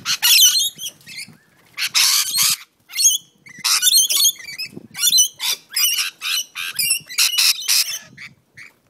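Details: Fighting rainbow lorikeets in a back yard on the New South Wales Central Coast: sharp, strident screams and grating squawks in repeated short bursts, roughly one or two per second, with a faint rustle underneath.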